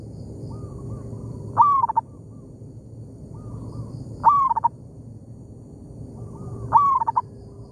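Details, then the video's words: A local zebra dove calls back and forth with a decoy bird in an oil palm plantation. Three stuttering coo phrases arrive regularly, about every 2.6 seconds, each led by softer distant coos, over a low steady drone. "merdunya suara perkutut lokal di kebun sawit,bersahutan dengan pikat"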